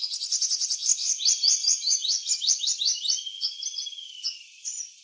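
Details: Purple sunbird, eclipse plumage, in a backyard giving a fast run of evenly spaced, shrill, high chips that ends in a long, thin, slightly falling whistle and a final short note.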